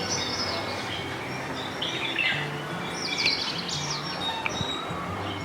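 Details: Bulbul in a house garden gives short, bright chirping notes in a few loose bursts, with sparrows and other small birds twittering and a low steady hum underneath.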